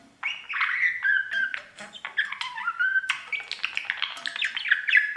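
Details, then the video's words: Male budgerigar kept as a pet, singing to his mirror: continuous chattering warble mixing whistled slides, squeaks and clicks, growing busier and more rapid in the second half. "Budgie sounds | Cookie and his Mirror singing"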